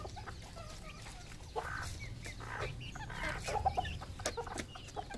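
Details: Red junglefowl on a farm in Cambodia giving short, low clucks in scattered bursts, with a pair near the middle and a few more later, over steady low background rumble.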